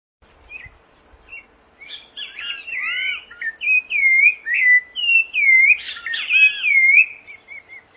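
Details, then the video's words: Rufous-bellied thrush singing free in nature: after a quiet start, a steady run of clear, fluting whistled phrases with rising and falling slurs, repeated about twice a second, loud and dominant with a faint steady background hum. "SABIÁ LARANJEIRA CANTANDO MUITO SOLTA NA NATUREZA LINDO CANTO DA SABIÁ LARANJEIRA"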